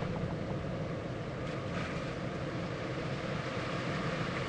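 Steady broadband rumbling noise, like an idling engine, fills the whole stretch with no calls standing out.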